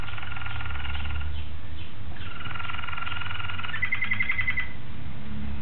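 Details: Malinois Waterslager canary recorded on 26 October 2012, singing rolling, pulsed tours in low and mid pitch, with a bright rapid bubbling roll near the end, over a steady low hum.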